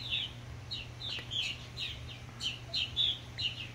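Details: Purple Martins encouraging newly fledged young give a quick run of throaty, gurgling chirps, several per second in uneven bursts, over a steady low hum.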